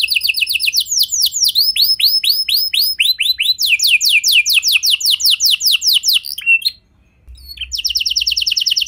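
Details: Canary song used as a lure to prompt other canaries to sing: fast trills of descending sweeps repeated about two per second, rapid high rattles, a brief pause, then a dense buzzing trill resumes.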